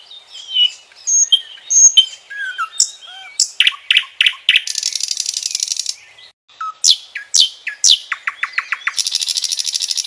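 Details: Common nightingale in loud, varied song: pure whistles and slurred notes open, then a run of sharp repeated clicks and fast buzzy rattling trills, a short pause, and more clicks and another long rattling trill.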